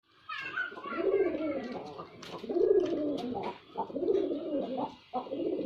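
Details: Male white pigeon performing: deep, throaty cooing phrases, each a rolling low moan swelling and fading, repeated roughly every one and a half seconds with brief pauses between.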